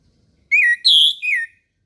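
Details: A single morning song phrase from an orange-headed thrush, three bright slurred whistles, the first falling, the second higher and sustained, the third dropping away.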